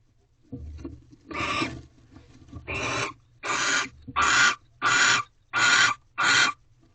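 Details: Barn owl mating ritual in a Corral nest box, 1:13 am, 3/2/23: a series of seven rasping, hissy screeches, each under half a second, coming faster and louder toward the end, with soft rustling in between.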